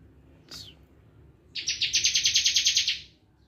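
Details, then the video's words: Bar-winged prinia in full bren song: a single quick downslurred note, then a pause and a fast, even, pulsing trill lasting about one and a half seconds before fading out; background quiet. "ciblek kristal full bren"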